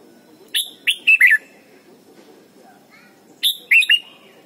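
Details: Red-whiskered bulbul singing a training song for young birds: two bursts of bright slurred whistles, each a quick sharp note followed by wavering, down-curving phrases, separated by a quiet pause of about two seconds with soft low murmur.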